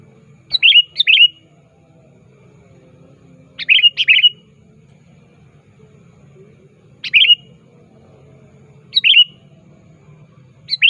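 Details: Sooty-headed bulbul, locally kutilang, actively calling out a rival as a lure: short sharp two-part chirps with a twisting ending, given about every two seconds, some doubled, over a faint low hum.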